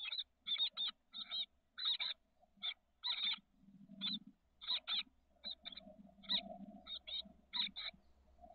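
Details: Thirteen-day-old chestnut-backed chickadee nestlings in a nest box, SF Bay south peninsula, 30 May 2023. Short raspy buzzes come in spaced pairs and clusters over a low steady hum and soft rustling in the box.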